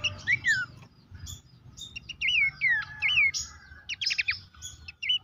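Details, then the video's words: Horsfield's babbler, recording for coaxing caged birds into song: wavering, looping whistles repeated at intervals, with a few sharp chip bursts between them and a constant low background murmur. "terapi pancingan dan masteran burung pelanduk semak bikin aktif rajin bunyi"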